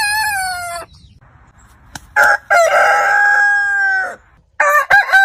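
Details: Heritage-breed cockerel crowing: a crow tail, a quiet gap with a faint click, then a loud buzzy crow held nearly two seconds before fading, and the start of another after a silent cut.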